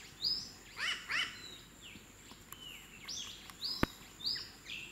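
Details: Wild, free-flying New Caledonian crow calling while making a tool from a twig, giving a harsh double 'wak wak' contact call near the start, with thin high chirps from other small birds and steady background hiss.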